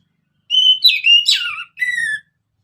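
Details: Orange-headed thrush in lively song, played to prompt other birds: a flat whistle running into tumbling, falling, slightly harsh notes, then a separate steady lower whistle.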